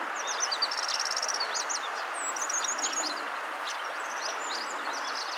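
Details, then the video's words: Sparrow at a riverside at sunset, the Eurasian tree sparrow, giving bright high chirps and short rattling twitters in quick clusters, pausing briefly between groups; a constant hiss of background noise underneath. "すずめの鳴き声 Eurasian Tree Sparrow"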